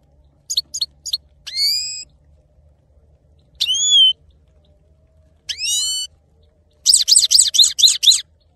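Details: Male goldfinch singing: short bursts of high, thin twittering notes, then longer buzzy, slurred phrases separated by pauses, ending in a rapid run of bright, jangling repeated notes; a faint low hum underneath.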